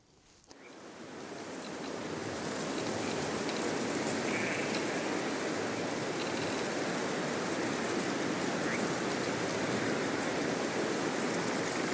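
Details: Steady broadband hiss of rain or rushing water fills the recording after a brief quiet start, with no animal voices standing out.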